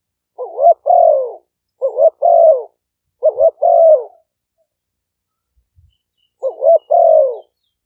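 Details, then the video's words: Two Malay-strain spotted dove decoy birds recorded live in Roi Et, Thailand, for lure playback. Four evenly spaced two-part phrases, a quick rising coo then a longer falling one, with one longer pause. "เสียงนกเขาใหญ่ คารม ปะทะ คารม"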